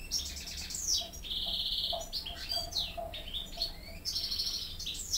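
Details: European goldfinch hybrid youngsters, reared only on goldfinch song, hear a better goldfinch singer as tutor while caged. High song mixes sweeping whistles, buzzy sustained notes and quick twitters in a busy, unbroken flow.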